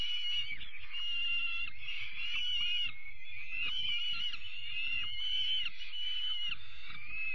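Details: Young peregrine falcon chicks being fed their evening meal on 5 May give a steady, shrill, wheezy chorus of high calls, with soft low thumps and bumps beneath.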